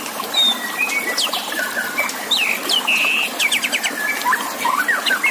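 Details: White-rumped shama song for contest training, with water trickling behind: level whistles and descending slurs, then a rapid rattling burst of many short high notes, ending in twisting rising whistles.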